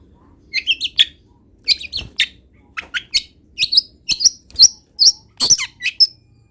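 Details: Lively Long-tailed shrike song full of borrowed wild-bird phrases: short clusters of two or three chirping notes, each rising and then falling, repeated in quick irregular groups over a quiet background.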